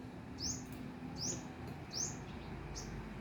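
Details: A hummingbird singing from trees in front of a house at 9 am in December 2023 gives thin, high, squeaky rising chips, one roughly every three-quarters of a second, over a low rumble of background noise.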